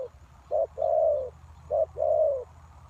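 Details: Spotted dove acting as a lure for wild doves, two low mellow coo pairs, each a short note then a long gently falling one, with soft background hum.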